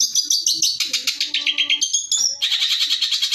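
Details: Long-tailed shrike singing a master song for tutoring other birds: dense rapid chatter of high scratchy notes, a bright whistled slur near the middle, then a fast trilled run.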